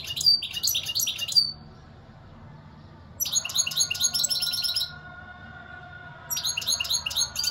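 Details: European goldfinch singing three separate bursts of rapid, jingling twitters and sharp whistled notes, with quiet pauses between them and a faint steady hum in the background.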